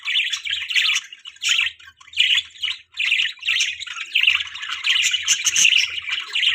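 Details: Morning budgerigars feeding their chick: scratchy chirps in short bursts roughly every half second to second, with soft low thumps between and a louder jumble near the end.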